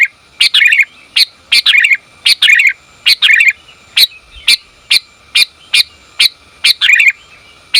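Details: Female sooty-headed bulbul calling a male: a steady series of sharp chips, often each followed by a slurred, rippling twitter, coming roughly twice a second over a quiet background.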